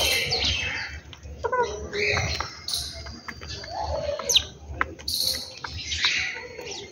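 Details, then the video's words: Birds calling in the morning at home: several overlapping high chirps and short tweets, scattered and irregular, over a low rumbling background. "beautiful sound of birds in my home"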